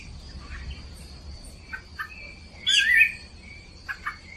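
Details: A female Rufous-bellied Thrush, said to be stirring up a male, gives one short, fluty whistled phrase among a few scattered clipped notes, over a steady high insect-like hum.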